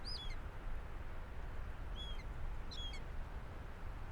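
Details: Young Common Buzzards calling near a farm hide in North Wales, close by as an older bird mantles over prey: three thin, high, downslurred whistled mews spaced over about three seconds, over a steady low rumble of wind.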